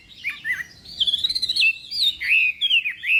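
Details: Chinese hwamei in morning practice singing for a contest, delivering a short run of clear, sliding whistles and warbled flourishes, some long level notes, others dipping and rising.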